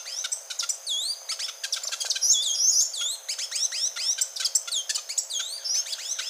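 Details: Grey-and-gold tanager, resident in Colombia, Ecuador and Panama, giving a continuous stream of high swooping whistles and crisp chips, some notes looping up and down, with a steady faint high hum behind.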